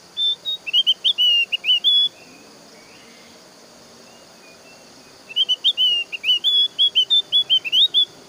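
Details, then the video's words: A Javan grey-throated white-eye sings rapid bursts of high, sweet, warbled whistles, each about two seconds long, separated by quiet gaps; the song is used as a lure to make other white-eyes sing in reply. "KICAUAN BURUNG OPIOR JAWA"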